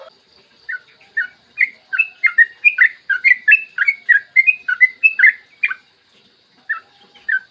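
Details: Lively yellow-vented bulbul singing in the morning, long rapid song used to trigger other bulbuls: a dense burst of liquid chirps, rising and falling, trailing off into a few separate notes.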